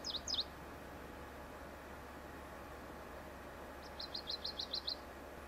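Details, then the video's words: Nesting pine grosbeak in Sakhalin island's elfin pine forest gives a couple of high, bent chirps, then after a silence a rapid even series of about eight clipped, high notes, with a constant low background hum. "PINE GROSBEAK SONG"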